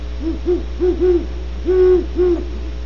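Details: At Starr Ranch, California, great horned owls give quick paired low hoots, then a long sustained hoot and a shorter one, set against a continuous low electrical buzz.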